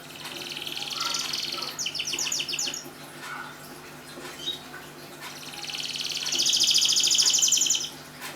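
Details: Caged domestic canary singing vigorously, used to prompt silent canaries to sing: bursts of fast, high, rattling trills and rapid chirps repeated in quick series, with a long bright trill near the end and faint voices in the background.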